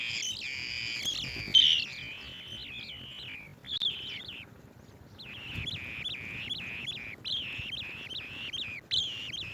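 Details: Swallow-tailed bee-eater bringing bees to feed its chicks, giving rolling, slightly buzzy trilled notes around the upper-middle pitch, a run of about three seconds, a short burst, then a string of repeated chirps after a pause.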